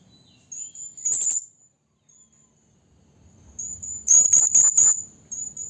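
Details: Trapping lure of a female blue-crowned hanging parrot calling a male. A single shrill high burst, a quiet pause, then a quick run of four sharp piercing notes trailing into a thin whistle.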